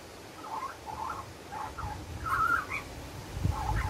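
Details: A young Australian magpie learning to sing on a windy day, being fed worms after its parent flew off, gives soft, wavering, warbled phrases that rise and fall in short bursts over low wind rumble.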